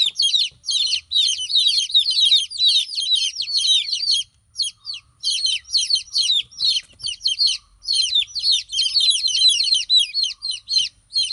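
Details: Chicken chicks calling in a group: dense runs of high, shrill peeps sliding downward, broken by short gaps, continuing steadily throughout with little else audible.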